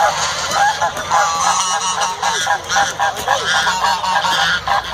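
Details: Geese fighting, a dense chorus of harsh, nasal honks overlapping continuously, with loud broadband clatter of wings and scuffling throughout.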